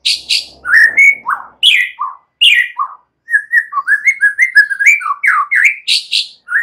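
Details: Song of a young White-rumped shama from the forest, meant to provoke a reply: a rapid, continuous run of varied whistled notes, slurred down and up, with sharp high ticks and a few brief gaps.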